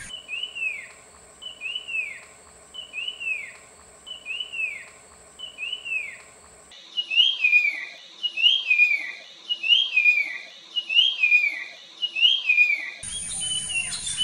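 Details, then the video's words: Puff-throated babbler from peninsular India singing: short, loud, whistled phrases that slide steeply downward, repeated about every 1.3 seconds in two runs, with a thin steady high tone early on and a burst of rough noise at the end. "Burung PELANDUK Semak"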